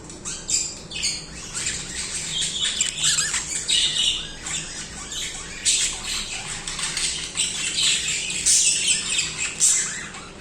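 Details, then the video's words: Budgerigars singing without pause, a jumble of high rasping chirps, squeaky squawks and chattering trills from more than one bird. "Budgies singing/chirping"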